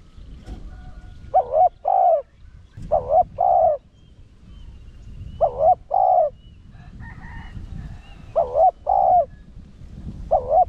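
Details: Spotted dove giving the rapid urging coo of the 'Rặc Đồng' voice style, used to lure wild doves; short phrases of paired hollow low coo notes return every two to three seconds, with a faint higher chirp near seven seconds.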